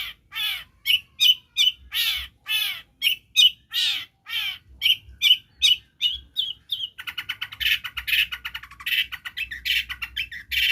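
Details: Long-tailed shrike copying other birds' voices as a lure for non-singing birds: repeated harsh, downslurred squawking notes about twice a second, shifting to a continuous scratchy, buzzy chatter.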